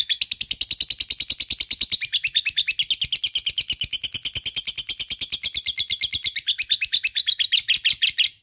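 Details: A fighter lovebird delivering long ngekek, a chattering song used as a lure for lovebirds that rarely sing: unbroken, rapid stream of high, rasping notes lasting over eight seconds, with slightly uneven rhythm.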